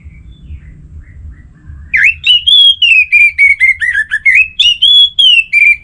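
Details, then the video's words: Orange-headed thrush in energetic 'gacor' song, played to prompt other thrushes into full song, northern Bali, Singaraja: after two quiet seconds, a rapid run of clear whistled phrases, sliding and warbling, with bright overtones and short gaps between notes. "Anis Merah Gacorr Untuk Pancinggan Burung Punglor Jadi NGeplong Bahkan Teler Kalau Jantan"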